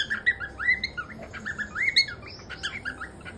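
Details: Male cockatiel whistling a run of clear rising and falling notes, some sliding upward, broken by short squawky chirps.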